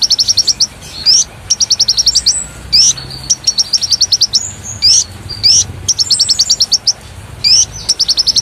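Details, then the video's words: Energetic Konin song kept as a model for magpie robins and fighting doves, with quick runs of short high ticking notes, each ending in a sharp rising whistle, repeated steadily. "Masteran Konin Gqcor Nembak Full isian Buat Isian Buring kicau"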